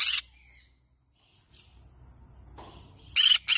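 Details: Harsh squawk from a pet green-cheeked conure, then a long quiet stretch with a faint thin whistle and low rumble, ending with two rapid grating screeches.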